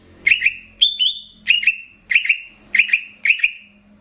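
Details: Banyuwangi greater green leafbird, played as master song to stir up other leafbirds. Six loud double notes, each a quick pair of high whistles trailing into a level tone, repeated about every half second.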